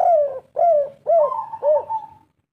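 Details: Energetic 'kuk 3' cooing from a local spotted dove kept as a decoy in Indonesia: four deep, hollow, bubbling coo notes in quick succession, the last trailing off into a drawn-out soft tone.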